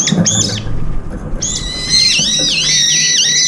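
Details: Several brown-eared bulbuls feeding together and competing for food, one with an injured left foot among them; two short harsh notes open, then a long, loud, shrill harmonic screech with wavering, looping dips runs to the end.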